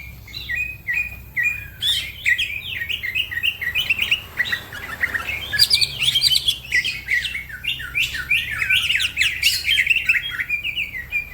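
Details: Cucak ijo, the green leafbird, in energetic song with other birds joining: a continuous, varied warble of slurred whistles and quick chirps, growing denser and busier in the second half.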